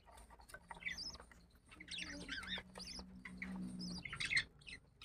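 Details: Budgerigars feeding their chicks, chattering in quick, scratchy chirps and warbles, with a steady low hum underneath.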